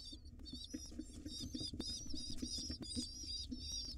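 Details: Wild pigeon chicks clamour for food from their mother inside a nest box, producing dense, overlapping high squeals and wavering peeps almost without pause, with soft rustling and low hum beneath.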